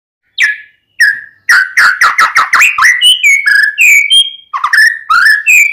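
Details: Singing white-rumped shama (murai batu) used as a lure to provoke another shama into singing: loud varied phrases of clear whistles, rising and falling notes mixed with rapid sharp chips and short trills.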